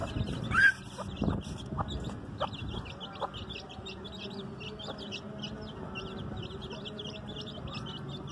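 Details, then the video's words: A hen with her chicks gives a loud sharp note, then short low clucks. The chicks' faint high peeps continue steadily over a low background rumble. "cute baby chicks with hen"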